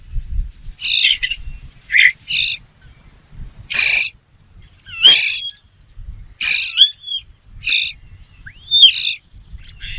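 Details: A bird gives short, harsh, buzzy high notes about once every second or so, some ending in thin rising or falling whistled slurs, against a quiet background with faint low rumble.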